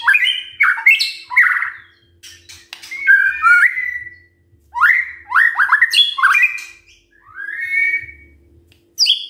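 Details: White-rumped shama singing in the morning, meant to provoke other shamas into singing: loud phrases of whistled, slurred and fluttering notes, some rising and some falling, in bursts about every one to two seconds with short pauses between.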